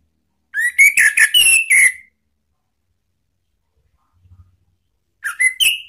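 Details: Orange-headed thrush calling to provoke rivals: a burst of about six clear whistled notes, a pause of three seconds, then a second similar burst begins.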